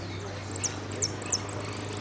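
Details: Hooded siskin in a contest final in Merlo: three sharp, very high descending chirps and a short high trill, over a steady low hum.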